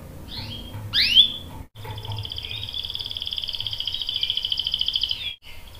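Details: Canary used as a lure to set a male singing: a few quick sliding chirps, then a long, even, rapidly pulsed high trill held steady for several seconds.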